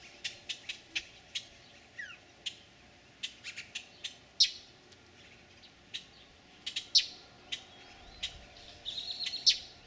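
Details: A juvenile black-crested titmouse at Resaca Los Fresnos, San Benito, Texas, on 6 June 2012 gives sharp, high chips and ticks at an irregular pace, with one quick falling whistle, over a faint steady background hum.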